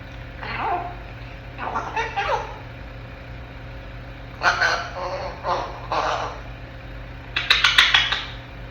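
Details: A 10-month-old African grey parrot in its crib babbles in short speech-like bursts, three clusters of chattery syllables separated by pauses, ending in a rapid burst of clicks; a steady low hum runs underneath.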